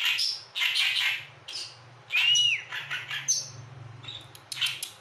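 An Oriental reed warbler sings harsh, grating, chattering phrases in quick bursts, with one clear upslurred whistle midway; a faint low hum runs underneath.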